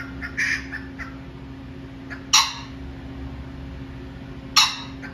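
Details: Pheasant calling, with short harsh bursts at about 0.4, 2.4 and 4.6 seconds: loud, broad, raspy notes with a steady low hum underneath.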